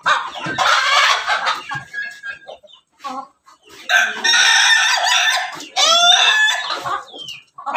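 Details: Crossbred rooster of Pelung, Bangkok and Ketawa chicken lines with a red comb, kept on a farm in Banguntapan, Yogyakarta, gives two loud harsh crows in quick succession. Other chickens cluck and chirp steadily around it.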